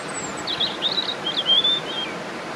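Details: A European robin sings at Swans Park, Buncrana: a short, thin, high warbling phrase of quick varied notes, with a steady rush of distant traffic behind it.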